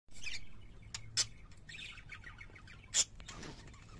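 Parakeets warble in soft, scratchy chirps and chatter, with a few sharp clicks and ticks breaking through a low room hum.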